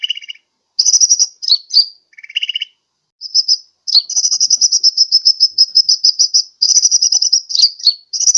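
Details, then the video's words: Sunbird calling as a bird lure, Sukabumi, Pajampangan: buzzy rattles and chips give way to a long, fast, high-pitched pulsed trill. "SUARA PIKAT/PANGGILAN BURUNG KOLIBRI"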